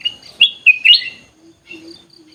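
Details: Ruby-throated bulbul in an aviary singing a brief phrase of three or four loud, sharp whistled chirps, followed by quieter twittering and a low faint hum.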